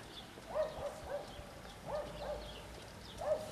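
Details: Soft, low, hollow coos from common wood pigeons courting and competing for favour, in short groups of two or three notes about a second apart over a faint hum; recorded 30 March 2012.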